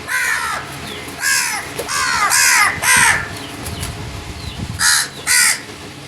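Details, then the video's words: Crows giving loud, harsh caws, about seven in all, some in quick pairs and runs of two or three, separated by short gaps, over a steady low background hum. "Crow birds crowing sounds and loud noise"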